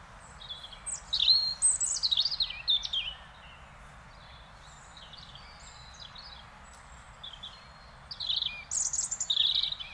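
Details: European robin singing in Beverwijk, the Netherlands: two bursts of high, thin warbled phrases with quick rising and falling whistles and trills, separated by several seconds of quiet with a low steady background hum.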